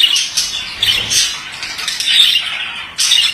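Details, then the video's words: Male budgerigar giving short bursts of scratchy chirps and squawks about once a second, with quieter gaps and a sudden loud restart at the end. "Erkek muhabbet kuşu sesi"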